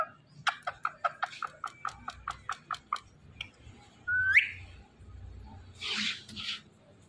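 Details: Green Indian ringneck parakeet making about fifteen evenly spaced clicking notes, then a single rising whistle and a soft breathy high burst. Faint room hum runs underneath.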